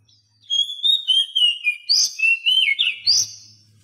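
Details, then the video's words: Oriental magpie-robin singing, recorded to stimulate silent caged birds: a long high whistle flowing into quick looping phrases with sharp upward flicks near the end. "Masteran Kacer Bisu"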